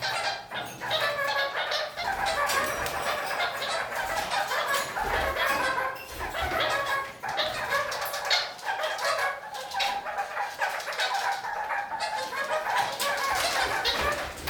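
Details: Several kakariki, moving upside down across a ceiling, give dense, continuous chattering song: overlapping nasal chirps and rapid squeaky notes run without pause for the whole stretch.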